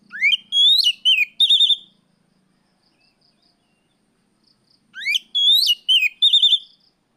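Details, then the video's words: Oriental magpie-robin in afternoon song, played as a lure to train other birds; two phrases of upward-sweeping whistles and buzzy trills, separated by a quiet gap of about three seconds. "suara Kacer sorehari riwik plong pancingan Kacer bahan"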